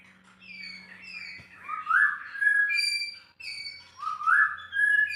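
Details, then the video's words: White-rumped shama delivering loud, melodious whistled song phrases with upward-sweeping slurs and varied high notes, separated by a short gap; faint low hum in the background. "proses bunyi harus sabar,telaten"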